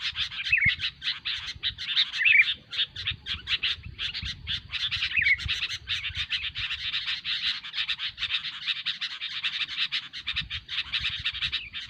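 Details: Long, busy stretch of sooty-headed bulbul chatter used as a trapping lure: continuous rapid scratchy notes with occasional clear whistled slurs early on, faint low rumble beneath.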